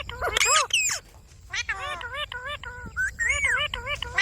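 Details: Pet Indian ringneck parakeet talking in bright, wavering syllables, first a loud tumbling phrase, then a steady run of short repeated tonal notes, and a final rising and falling phrase.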